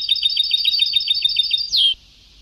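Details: European goldfinch singing in the old Sebtawi style on a very old recording. A rapid run of high tinkling, twittering notes ends in one bright downslurred note, then quiet.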